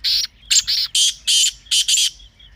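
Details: Loud partridge call repeated as grating, screechy bursts, about seven notes in two and a half seconds, often paired, each harsh and noisy with a clean quiet gap between.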